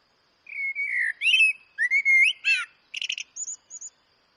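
A Eurasian blackbird sings one phrase: mellow, fluted low warbles for about two seconds, then a quick burst of thin, squeaky twittering notes at the end.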